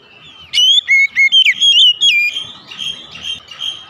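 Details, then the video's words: In the morning, an Oriental magpie-robin gives one loud, quick phrase of clear, slurred whistles lasting about a second and a half, followed by softer, fainter warbling notes. "TERAPI OCEHAN KACER DI PAGI HARI"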